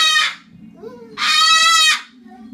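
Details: Two harsh shrieks from a cockatoo, a short one at the start and a longer, louder raspy scream about a second later, with a low steady hum underneath.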